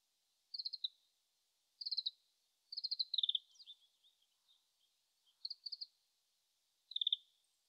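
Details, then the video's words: Oriental greenfinch singing far off in Japan in late March, its song still unpolished: soft, brief trills of fast repeated notes with a slightly buzzy descending flourish, separated by irregular gaps, recorded with a shotgun microphone. "カワラヒワ さえずり"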